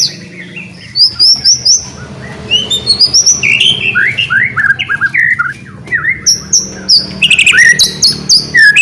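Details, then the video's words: White-rumped shama in energetic 'gacor' song, used as a lure to get quiet shamas singing again: fast varied whistles, high slurred notes and downward swoops, delivered in quick bursts of about four per second. "MURAI BATU GACOR ..TEPAT UNTUK PANCINGAN , MURAI BATU MACET KURANG GACOR,AGAR BUNYI LAGI"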